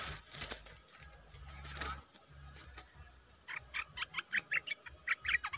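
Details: Bulbul kept as a decoy bird, recorded 6 July 2021. Rustling and clattering come first, then a rapid run of short, bright, clipped notes repeats about four times a second until the end.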